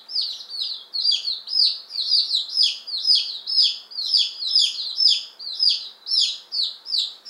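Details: Just-arrived one-day-old chicks, ten Appenzeller Spitzhauben and five White Crested Blue Polish, May 19, 2015. Regular bursts of shrill, descending cheeps swell and fade roughly twice per second from the crowded brood.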